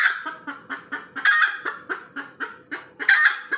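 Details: After laying an egg, a red junglefowl cackles nonstop: sharp clucks about every quarter second, with two louder, stretched squawks breaking through, and a faint steady hum beneath.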